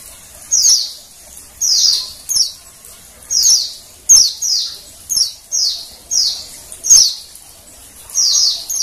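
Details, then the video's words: A female Oriental white-eye, whose calls are used to prompt males to sing, gives thin, very high notes, each sliding downward, repeated in quick bursts about once a second, with a few faint clicks between. "suara PLECI BETINA penggacor PLECI JANTAN"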